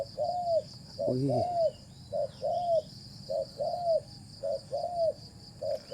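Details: Spotted dove cooing during a decoy-trapping session as the birds are said to be fighting: soft mid-pitched coos in pairs, a short note then a longer arched one, about once a second, with a brief man's voice and a steady high whine.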